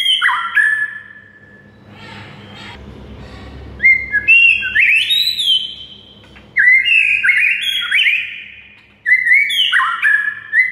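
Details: Shama master song for getting mute birds to sing: bursts of loud varied whistles with downslurred and upslurred notes and high chips, separated by quiet gaps, low mechanical hum in the background.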